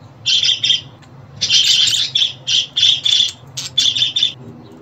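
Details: Pet budgerigar calls meant to help a new bird settle at home: two quick chirps, a pause, then a tumbling series of harsh, overlapping chirrups.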